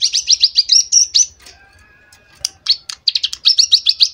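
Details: A young prinia, just over two months old, trained on a recording of another species' song with a rapid machine-gun-like run, gives a rapid, buzzy, high-pitched chatter of about seven notes a second, breaks off briefly with a few scattered chips, then resumes.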